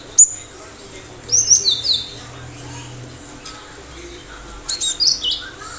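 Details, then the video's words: Cinereous tit in lively song: a single sharp high note, then a phrase of rapid high chips falling into lower notes, and another burst near the end, over steady low hum. "Gelatik batu gacor"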